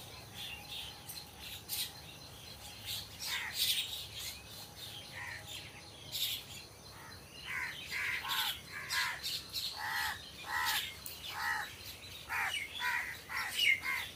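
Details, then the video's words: Crows among trees giving a series of harsh, harmonic caws, irregular and overlapping, louder toward the end, with thin high chirps from smaller birds scattered between them. "Crow Sound Crow Ki Awaj"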